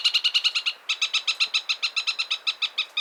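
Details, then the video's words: Chatham Islands parakeet delivering a rapid string of harsh, buzzy chattering notes, a short pause near the first second, then about fifteen more even notes. "Chatham Islands Parakeet Bird Sounds"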